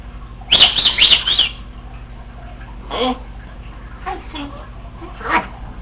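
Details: Congo African Grey parrot, a female pet alone at home, gives a quick high chirping trill of about six notes, then scattered soft mumbled syllables and a short buzzy chirp.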